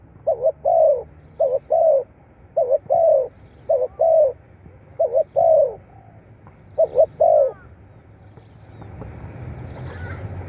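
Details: Spotted dove calls played to excite captive birds: a quick sequence of short doubled coos, each followed by a longer falling note. The calling stops near the end and a rising broad rushing noise takes over.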